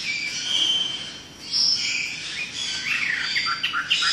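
A Chinese hwamei pours out a loud, rich run of high whistles, slurred phrases and quick trills with barely a pause, against faint background hiss.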